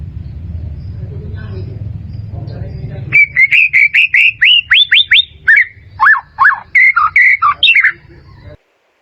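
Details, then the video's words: Training song of a white-rumped shama for caged birds: about three seconds of low hum, then a rapid series of bright rising whistles, followed by deeper down-slurred notes and varied phrases, roughly two notes per second. "SUARA MURAI BATU"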